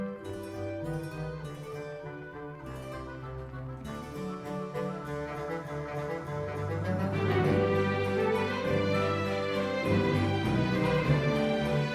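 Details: Baroque-style instrumental music with harpsichord and bowed strings plays throughout, with no animal sounds.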